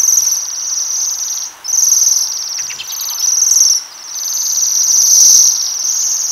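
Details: Several waxwings calling while feeding on coloured rowan berries: thin, high-pitched metallic trills in long bursts of one to two seconds, separated by brief pauses, with a few softer chirps between them.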